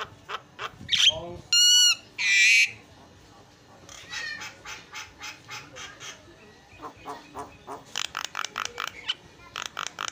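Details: Caged Javan myna serving as master song for cage-bird training: a few loud chirps, two long strained honking notes, then a steady series of short dry clicks and harsh chips repeating more than once a second.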